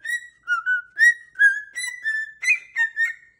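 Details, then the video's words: Whistled melody from a dancing pet cockatoo: a string of short, slightly wavering whistles that dip and rise, about ten evenly spaced notes with rich harmonics, indoors. "What a Happy Little Tune!"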